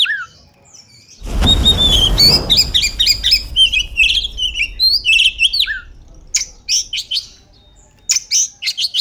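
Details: Oriental magpie-robin (kacer), used as a lure meant to provoke magpie-robins into agitation, tail-spreading and fighting (described as a female lure), gives a rapid run of clear, varied whistles and sharp chattering notes, about four a second, after a brief loud thump.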